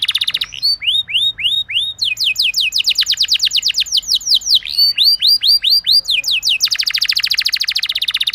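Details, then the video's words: Domestic canary in full rolling song, used to prompt other canaries to sing: rapid series of rising swept whistles, then dense buzzing trills and repeated curved slurs, loud and continuous for eight seconds. "Burung Kenari Lain Bakal Langsung Ikut Gacor Ngerol Mewah Dengan Pancingan"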